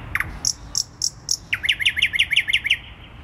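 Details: Night song of a thrush nightingale in Warsaw city centre, 12 May 2020, around 00:30, sung from thick branches roughly two metres up. A few separate high sharp notes, then a rapid run of about ten sliding chip notes, all clear over low city hum.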